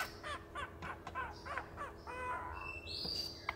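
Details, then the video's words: A male caique clucks inside a cabinet, apparently liking the sound of his own voice: a run of harsh, throaty clucks, about three a second, some with ringing harmonics, ending with a few higher squeaky notes. "Caique, clucking"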